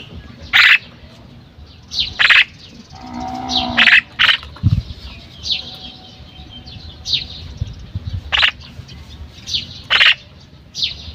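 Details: Female common myna calling at length: a string of loud, harsh, rasping notes at irregular intervals, mixed with a low gurgling phrase and softer chatter.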